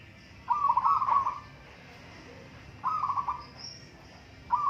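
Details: Local zebra doves in a singing contest: bubbly, trilling coo phrases near one pitch, each lasting about a second, given three times with pauses, over a low steady background hum.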